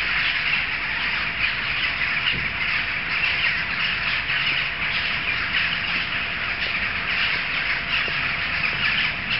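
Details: Large gathering of jackdaws, audible from several streets away; a dense, continuous chorus of harsh, overlapping calls from many birds fills the whole recording without pause.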